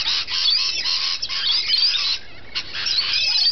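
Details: Rainbow lorikeets feeding: a dense, continuous wash of shrill, harsh screeches from several birds, overlapping without pause, with a brief drop in volume near the middle before the chorus resumes.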